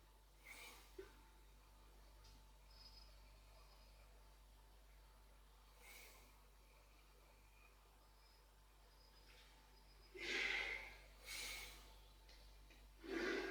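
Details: Iberian Eurasian jay, subspecies Garrulus glandarius fasciatus, visiting Camorritos in Cercedilla, 60 km from Madrid, Spain; three loud, harsh, rasping screech calls near the end, with faint thin whistles and soft background noise earlier.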